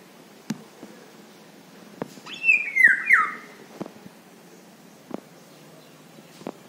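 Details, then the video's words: Indian golden oriole gives one brief fluty phrase of two or three slurred whistles falling in pitch, with faint clicks and knocks scattered around it. "indian golden oriole bird(haldi basanta bird)"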